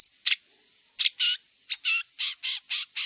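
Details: Wild long-tailed shrike giving harsh, grating notes, short and longer scratchy bursts repeated about four per second, with a thin high drone behind.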